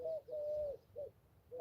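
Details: Near a trout-fishing spot with weeds and a bridge, a ringneck dove gives soft, low, steady coos: a short note, a long drawn one, then two more short notes, in a quiet setting.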